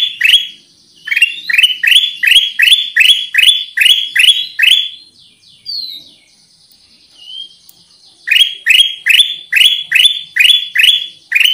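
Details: Bulbul lure call of the Black-capped bulbul: around ten bright, rapidly repeated upslurred chirps, a pause filled with faint thin whistles, then a second run of about seven.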